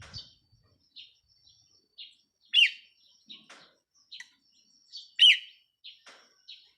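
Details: Red-whiskered bulbul decoy bird recorded 4 May 2023: two punchy, warbling phrases about two and a half seconds apart amid a regular series of thin, high short notes in a quiet setting.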